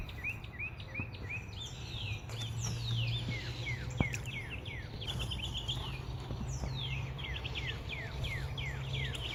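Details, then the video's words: Morning chorus of wild birds in a backyard, an Alaskan Malamute on his deck nearby: busy overlapping bursts of high, downslurred whistles and quick chirp trills, with a sharp tap midway and a low rumbling background. "the birds singing to you? What"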